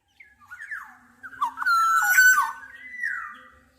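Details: Mellow, flute-like phrases from a black-naped oriole: wavering whistles building into a loud sustained slurred note, then a softer drawn-out falling whistle that trails away.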